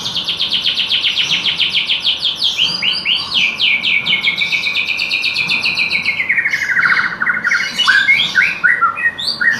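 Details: White-rumped shama (murai batu) singing a canary-style fill: long, dense, fast trills of sharp chirps that first hold high, then slide lower before breaking into scattered, varied notes.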